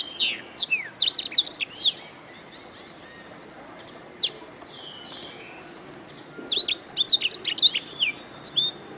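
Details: Canary song used as tutor recording for training songbirds: bursts of sharp, high, fast-swept chirps and short trills, a quiet pause with a single note and faint whistles, then another rapid chirping phrase.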